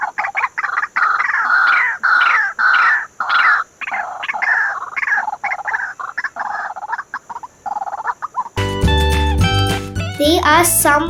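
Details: A White-breasted Waterhen in Sri Lanka gives its loud, harsh, repetitive croaking call in a rapid, uneven series for about eight seconds, then music takes over.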